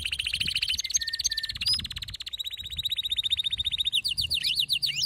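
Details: Male canary's excited song, meant to get other canaries singing: long even pulsed rolls at a high pitch, switching tours twice, ending in quick zigzagging descending notes.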